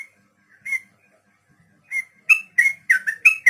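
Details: Sooty-headed bulbul 'ropel panjang' tutor song for training beginner captive birds: a few separate whistled notes, then a quickening burst of loud, slurred, bubbly whistles toward the end.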